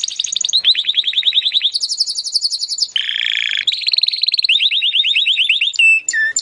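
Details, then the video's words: Timbrado canary, recorded as training audio to improve canaries' singing, delivering a chain of rapid rolling trills at shifting pitches, with a harsh buzzy stretch midway and a few clear held whistled notes at the end. "AUDIO mas PODEROSO de TIMBRADO para el ENTRENAMIENTO"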